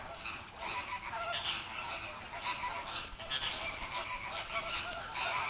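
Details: A group of captive Inca terns at feeding time, Vogelpark Avifauna in the Netherlands; loud, harsh honking cries rise and fall in overlapping bursts roughly every half second.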